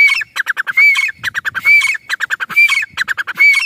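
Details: Grey francolin calling in a village's natural setting: loud, harsh, high-pitched phrases of rapid clipped notes, each ending in a rising squeal, repeated roughly every second.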